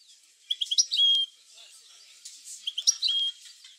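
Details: European goldfinch song played to stimulate goldfinches to sing: two bursts of high, rapid tinkling twitters and short chirps with a few thin whistled notes, separated by a brief quiet gap.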